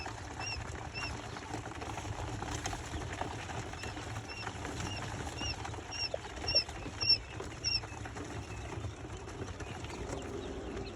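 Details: Little bustard chicks giving thin, high, short peeps, repeated about twice a second in a loose series that grows louder and denser toward the end, over a steady low background rumble.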